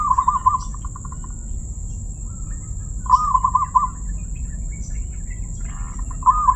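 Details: Crystal-voiced zebra dove singing three trilled cooing phrases, each a quick run of pulsed notes at an even mid pitch, about three seconds apart, with low background rumble and a thin steady high-pitched hiss throughout.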